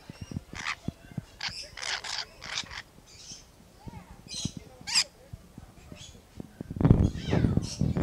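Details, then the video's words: A couple of lorikeets at Lion Country Safari in Florida squabble or fight a little, with harsh, grating screeches in quick irregular bursts about two per second, then one squawks close up, over low knocks and rustling growing louder. "Lorikeets Fight a Little (or disagree) - Plus Close-up of Squawking Lorikeet"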